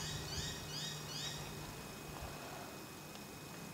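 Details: Pacific baza at Hunters Hill, Sydney, Australia, in April 2017, giving three quick, rising whistled notes in about a second, then falling silent over a low background hum.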